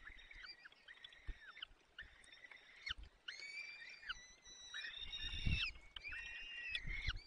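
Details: Peregrine falcon nest, Barycz Valley, Poland, 14:28 on 30 April 2020, while the male feeds the young: a series of long, harmonic, whining squeals with hooked downward endings, plus a brief low thud midway.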